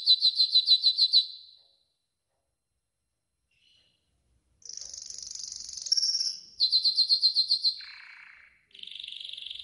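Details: Training song from a yellow golden canary: bursts of loud beaded trills separated by a few seconds of silence, then buzzy rolls and a lower trill, pitch shifting between phrases.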